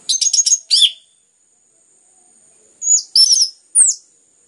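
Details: Orange-headed thrush singing loudly and continuously, used to stimulate other birds to sing: a quick run of about six sharp high notes, a slurred downward note, a pause, then several bright whistled slurs, over a steady thin high tone.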